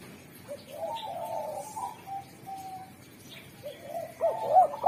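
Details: Spotted dove (derkuku) singer that draws in wild doves: soft, smooth level coos through most of the stretch, then a loud burst of swooping coos closing it.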